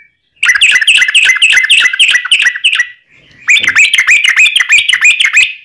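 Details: Sooty-headed bulbul lure song: two dense phrases of fast, bubbly, slightly harsh chattering notes, separated by a half-second pause.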